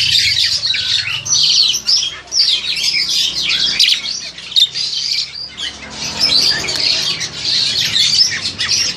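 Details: A captive crested myna about 7–8 months old, nearly ready for a breeding cage, gives a steady run of harsh, scratchy squawks and chattering notes, high-pitched and nearly continuous, with a brief pause near the middle.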